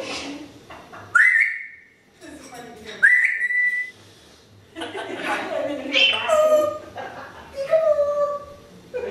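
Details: Pet African grey parrot mimicking sounds such as cussing, burping and coughing: two bright rising whistles, each followed by muttered speech-like notes, then several drawn-out whistled tones mixed with mumbling.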